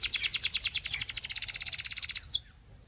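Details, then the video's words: Belgian canary song: a quick, rhythmic trill of pulsing high notes, about ten per second, closed by one sharp downward slurred whistle, then quiet. "Belgian Canary Tempts All Canaries to Sing!!! CANARY SINGING VIDEO"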